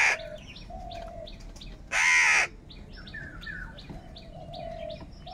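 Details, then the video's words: Crow calling in a quarrelling group over food: a short caw at the start, then one long, loud rasping caw, over busy high chirping and level whistles from other birds. "Very loud voice of Crow sound - Crow sound of kaka | Crow bird unity anger and sound for food"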